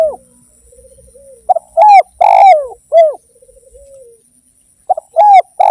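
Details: Actively singing spotted dove used as a lure: bursts of deep, husky coos that swoop up and drop, with soft purring notes between phrases and short pauses.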